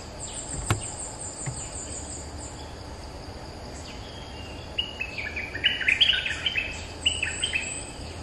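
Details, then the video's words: Streak-eared bulbul, a territory holder answering lure calls: a quiet start, then from about five seconds a lively burst of short, sharp chirping notes in quick succession. A thin, high insect buzz and steady low background noise run underneath. "เสียงต่อนกดอกแตงEp.229 จ้าวถิ่นเถียงทุกคำ!! suara pikat merbah lekir gacor"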